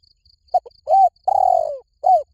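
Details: Spotted dove in the หลิ่วตัน calling style, used as a lure to train another dove to call back: low mellow coos, a short note, then a longer note and one long drawn descending coo, with faint steady high ticking behind.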